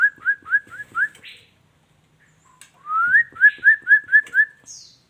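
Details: Female white-rumped shama repeating a short whistled note about five times in quick succession, a pause, then a rising slur leading into another even series of six similar whistles.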